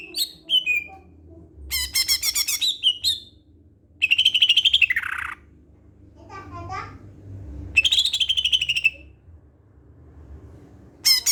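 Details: Greater green leafbird singing to lure other leafbirds: a rich mix of rapid trills, rising and falling buzzy phrases, clear whistles and chattering notes, broken by short silences.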